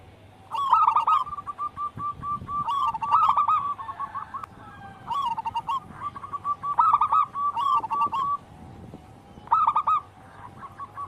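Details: Zebra dove of local wild stock in vigorous song for training caged birds: loud rolling cooed phrases recur about every two and a half seconds, each followed by a string of quick soft coos.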